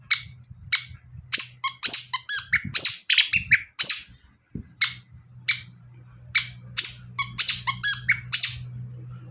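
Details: Long-tailed shrike singing a lively, prompting song meant to stir other shrikes into singing: sharp, scratchy chirps and short buzzy notes in uneven bursts, about two per second, over a steady low hum.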